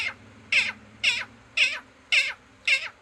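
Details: Five loud, grating squawks from a green parrot, evenly spaced about half a second apart, each a short scratchy burst, over a faint steady hum.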